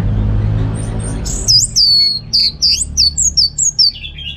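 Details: Song of a captive orange-headed thrush in North Bali: after a muffled rumbling start, a string of clear, high, down-slurred whistled notes comes in rapid, even succession, ending on lower trills.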